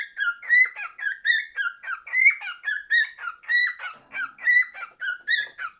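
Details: Cockatiel in full song, repeating whistled warbles that rise and fall, each burst lasting under a second with short pauses between them, and a faint low hum in the background for a moment.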